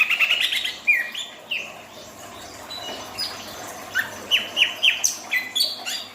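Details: Song of a greater green leafbird in breeding condition, known locally as cucak ijo: a lively, varied stream of sharp whistles, chirps and quick downslurred notes, busy at first, then a measured series of bright whistled phrases.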